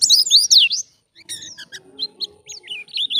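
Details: White-eye in wild-style 'ngalas' song, used to lure and train other white-eyes: bursts of high, sharp descending whistled notes, a short pause, then scattered thin chirps and quick rising-falling slurs.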